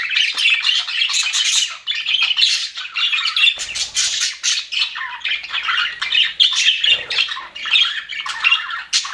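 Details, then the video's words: Happy budgerigars in an aviary keep up a dense, continuous chattering warble of scratchy chirps and squawks, several birds calling at once with no pauses. "HAPPY BUDGIES SOUNDS"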